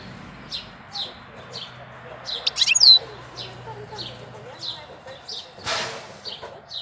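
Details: European goldfinch singing in April: short, high, downslurred chirps repeated about twice a second, with one brighter trilled burst near the middle and a brief noisy rustle toward the end.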